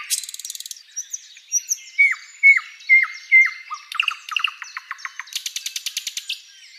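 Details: ['Tutor song of a flycatcher called sikatan londo, used to train other birds: a quick rattle, then loud downward-sweeping whistled notes about every half second, a stuttering series of chips and a final fast buzzy trill.']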